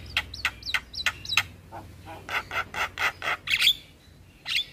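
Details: Javan myna, singing actively on a tutoring recording for caged starlings that mixes in other starlings: four sharp repeated whistled hooks, then an even series of harsh raspy notes and a loud screechy burst.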